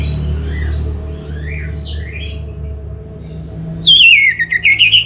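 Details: Orange-headed thrush starting a loud, fast song phrase of trilled, wavering whistles that fall, then climb again. It comes after faint scattered notes and a steady low hum.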